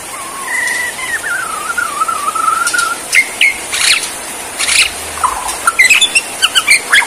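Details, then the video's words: Borneo white-rumped shama performing its bowing "sujud" display: long, even whistled notes near steady pitch give way to sharp, scattered chirps and rapid clicking notes in the second half. "Aksi Murai BORNEO gaya SUJUD"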